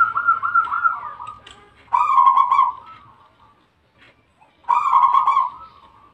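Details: Zebra dove, Bangkok type, in active song: three rolling cooing phrases about every two and a half seconds, each a strong burst of rapid pulsed notes that tapers and softens, with a faint low hum beneath.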